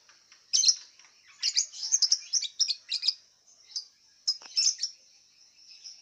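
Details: Lovebird in an online singing contest, from Singkawang, West Kalimantan, housed in a round cage. It gives loud, clustered, scratchy chirps and twitters in uneven bursts. Brief pauses separate the bursts, all over a thin sustained high tone.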